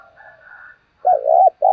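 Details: Lure spotted dove cooing to call in other doves: faint, quieter, higher murmurs, then a loud, deep, wavering coo that is cut short as another begins.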